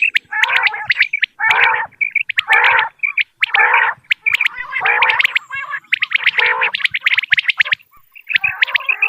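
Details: Common quail recording from Dera Ghazi Khan used to attract birds for hunting. Rich bubbling, gargled phrases and piercing short notes arrive in bursts, several birds overlapping, with brief silent gaps.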